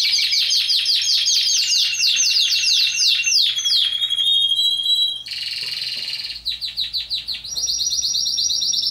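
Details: Timbrado canary recorded in Athens, Greece, in 2010 during selection before training: long fast metallic trills and rolls, a drawn-out buzzy section, then further rapid repeated notes at a steady rate.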